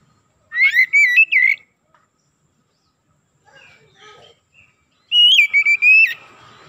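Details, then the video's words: Oriental magpie-robin (kacer) singing 'gacor' to provoke other kacer: a burst of clear warbled whistles, a near-silent gap with a few soft notes, then another loud whistled phrase with sharp upslurs. "PANCINGAN TERCEPAT MENAIKAN EMOSI KACER GACOR DENGAN CEPAT"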